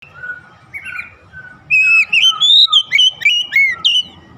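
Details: Oriental magpie-robin calling in a rhythmic song: after quieter faint notes, a loud run of clear whistled phrases and slurred upward and downward notes, about nine bursts in two and a half seconds.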